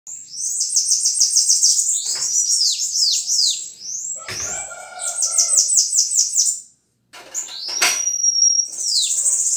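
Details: Bananaquit (sibite) song: rapid series of very high, thin, buzzy descending notes, briefly interrupted, with a clicking burst near the middle, faint lower tonal bands, and a final sustained high whistle-like note before the chatter resumes.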